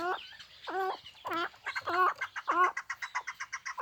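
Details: Hybrid chukar partridge, kept as a hunting and fighting bird, gives five loud, harmonic, rising-then-falling chuck notes spaced about two thirds of a second apart, with a faint quieter chatter following.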